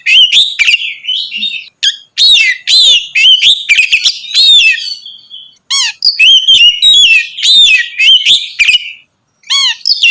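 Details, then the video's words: Oriental magpie-robin singing continuously and loudly to stir up other magpie-robins; quick repeated chirps and bright whistled notes in fast bursts, with ringing rising phrases in the second half and brief silent gaps. "kacer ngeplong gacor mancing emosi kacer lain"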